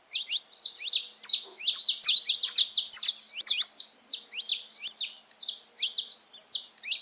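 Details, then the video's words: Wild saffron finches gathered in nature: busy, overlapping chorus of high, clipped chirps and short descending notes, repeated rapidly in dense bursts throughout. "festa dos canário da terra livre na natureza"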